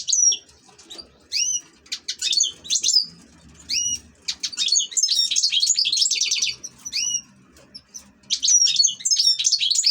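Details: European goldfinch kept as an ornamental bird, singing lively high phrases that mix upslurred whistles with rapid, dense tinkling trills, separated by short pauses.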